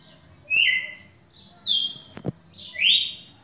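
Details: A red-cowled cardinal, a champion bird, recorded 11 May 2019, gives three loud, clear whistled phrases about a second apart, slurring down then up, with two brief clicks between them.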